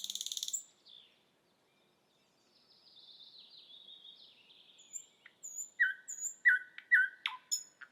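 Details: Thrush nightingale in Estonia. A short buzz gives way to a quiet, drawn-out rising whistle, then sharp high ticks and a few loud, repeated knocking notes with a brief rattle.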